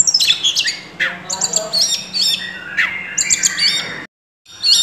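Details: Oriental magpie-robin in loud 'gacor' singing, full of 'isian' mimicked phrases, as a master recording: rapid high whistles, sweeping slurred notes and scratchy chips tumble together, a short silence near the end before the song resumes.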